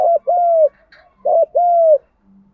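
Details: Two paired coos from a spotted dove giving the 'gù đấu' fighting call meant to rouse decoy birds: a quick low note, a short gap, then a long mellow slightly falling coo.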